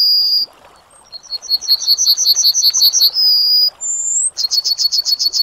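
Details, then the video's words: Yellowhammer song, one phrase of a dozen pulsing high notes that grow louder, then a long steady note, a rising whistle, and a fresh burst of rapid repeated notes. "Yellowhammer Singing"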